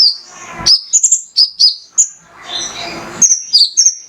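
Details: Male mangrove whistler song as a prompt for other birds: a few high chirps and quick slurred notes separated by gaps, with a long stretch of soft rustling noise in the middle.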